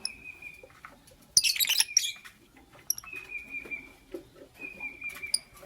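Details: Green Fischer's and pastel blue lovebirds in the morning: long, flat, steady whistles repeat between a loud burst of dense, scratchy chirping and scattered short clicks and chips.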